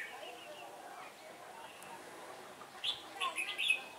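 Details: Trap-set red-whiskered bulbul used as a decoy, singing competitively to attract wild birds, 15 October 2017 as the wind turned; low background murmur, then a burst of several short, clear warbling notes near the end.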